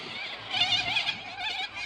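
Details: White cockatoos in a wild flock at a park on a sunny winter day, calling noisily: loud, raspy, layered squawks from several birds at once, rising in intensity midway.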